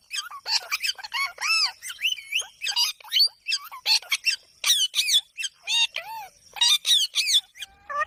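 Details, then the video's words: Rose-ringed parakeet screeching continuously: loud, harsh, arching squawks repeated in quick irregular succession, each note rising and falling, with no other sounds standing out. "Parrot sound | Ringneck parrot"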